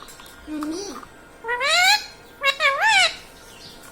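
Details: Pet Indian ringneck parakeet, a talking parrot said to laugh, indoors: several harmonic, rising-and-falling voice-like calls with rich overtones, the loudest two near the middle and end, over quiet room background.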